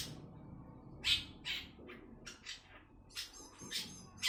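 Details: Two-month-old long-tailed shrike rehearsing its song with short rasping, squawky bursts spaced unevenly about every third of a second, a quiet room around it.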